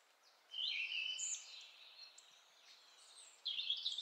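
Mistle Thrush song: short, loud fluting phrases high in pitch, one at the start and another after a pause of about three seconds, over faint background hiss.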